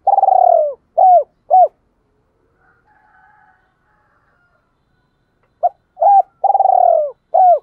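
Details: Spotted dove cooing to lure and provoke other doves, a double-voiced coo: loud, clear low hooting notes, a long rolling coo followed by short separate coos, two bursts separated by a quiet pause of about three seconds.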